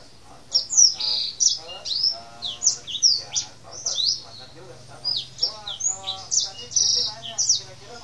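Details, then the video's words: Tame male black-throated canary in steady, rolling song: bright high whistled slurs and chirps in rapid clusters about every half second, each note sweeping up or down, with fainter buzzy warbles below. "Kenari Blackthroat jantan gacorr ngeroll"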